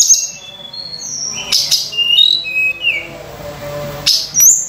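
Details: Sunda robin song used as a lure for other birds, here sparser and quieter: separate thin high whistles, short slurred notes and a few sharp clicks spaced across a few seconds over a faint background hum.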